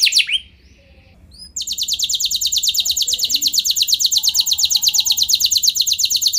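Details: Singing canary used as a lure for other canaries to roll long: a few sliding notes, a quiet second, then an unbroken, rapid, even trill of high pulsed notes running to the end.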